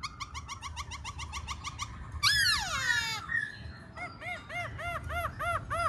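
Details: Black-throated laughingthrush, singing and dancing, delivering a rapid series of short notes, a loud sweeping downslurred burst, then a steady run of rounded, arched whistles.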